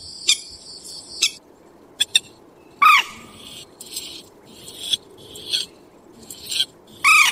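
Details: Purple swamphen calling at night: a few loud, harsh, harmonic shrieks stand out among sharp clicks and scattered noisy bursts.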